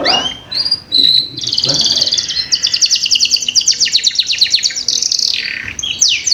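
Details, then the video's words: Canary song used to prompt young canaries to start singing: a few short whistled notes open into a long, fast trill of evenly repeated buzzy notes, ending in sweeping slurred phrases. "Pancingan Kenari Paud Cepat Bunyi"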